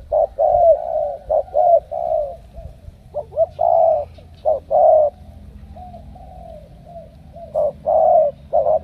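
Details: Spotted dove from Cà Mau, a selected strong-cooing bird bound for Hải Dương, giving deep cooing phrases of short and drawn-out notes with irregular pauses, with quiet low background hum.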